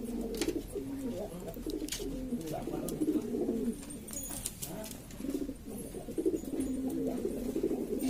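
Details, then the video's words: A noisy flock of Lombok domestic pigeons, assorted fancy breeds from East Lombok, Indonesia, giving continuous low throaty coos that overlap and rise and fall, with scattered clicks and a faint voice in the background. "burung merpati ini ribut sendiri"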